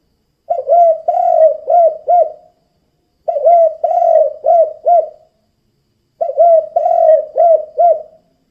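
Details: Spotted dove 'kuk 2' call used to lure other doves, three evenly spaced phrases roughly every three seconds, each a run of four mellow, rolling low coos with a slight upward lilt, against a quiet background.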